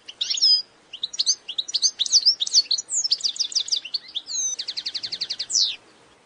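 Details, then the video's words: European goldfinch song, a lively tumble of high twittering notes and slurred chips, ending in a quick buzzy trill of a dozen even notes, then a short rising flourish. "Mühteşem Saka Kuşu Sesi صوت طائر الحسون العظيم Great Goldfinch Sound Grand son de chardonneret"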